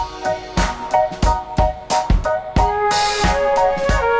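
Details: Upbeat music with punchy drum hits and keyboard chords, with no animal sounds.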